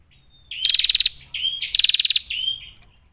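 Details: Female bar-winged prinia with a clear voice, meant to lure rivals into song and fighting. Two quick rattled bursts of about nine pulses each, each with a soft rising note before it and a slurred note after.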